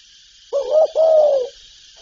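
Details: Spotted dove giving one soft, low two-part coo from its calling, urging and cooing repertoire: brief wavering note, slight gap, then a longer note sliding down, against a continuous high hiss.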